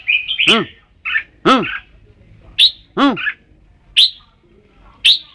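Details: Red-whiskered bulbul: sharp, bright chirps mixed with loud, harsh, downward-sweeping calls, spaced about one per second.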